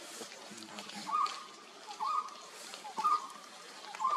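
A Golden-throated Barbet gives short, hollow, mid-pitched notes repeated about once a second, over a soft background wash that may be water or rustling.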